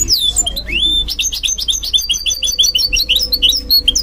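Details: A caged goldfinch mule sings at night, a fast, bright, continuous twittering song of high chirps and trills.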